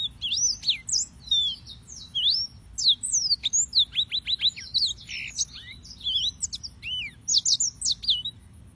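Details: Yellow-fronted canary (Serinus mozambicus) singing a fast, continuous twittering song of high, thin whistled notes, sweeping slurs and quick trilled bursts, with few pauses throughout.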